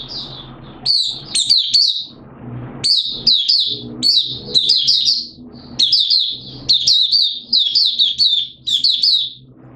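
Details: Oriental white-eye, Malaysian type, singing 'buka sing' style in Singapore on 29 March 2023 amid warm humid weather: bursts of sharp sweet twitters every couple of seconds over a faint low hum.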